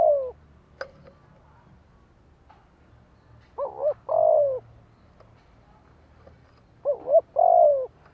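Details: Spotted dove in the 'thổ đồng' voice style, a lure to provoke wild doves: a trailing coo at the start, then two phrases, each a fast wavering pair of notes and a drawn-out falling coo, over soft low hum.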